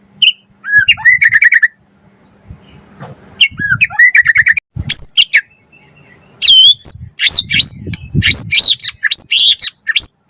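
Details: Energetic white-rumped shama song with full varied phrasing, meant to provoke other shamas into singing and to tutor birds: sharp high whistles, clipped chirps and bursts of rapid notes in uneven spurts with short silences.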